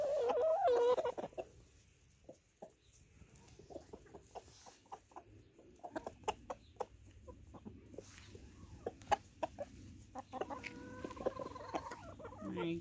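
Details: A blue laced red Wyandotte rooster gives his food call to hens, telling them he has found food to share: a louder throaty note, then a run of quick, low clucks, about three a second, over a faint steady hum.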